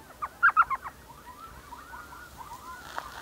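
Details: An Elf Owl in desert with saguaro cacti in the Salt River area near Mesa, Arizona, in the evening, gives a quick burst of five or six sharp, yelping notes, followed by fainter squeaky chattering at a similar pitch.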